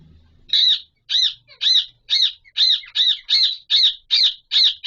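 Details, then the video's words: Alexandrine parakeet, a Pahari Kashmiri parrot, calling during mating: ten loud, harsh, grating squawks repeated steadily about every half second after a brief quiet start, with no other sounds. "Raw Pahari Kashmiri Parrot 🦜 🐦 Mating Video"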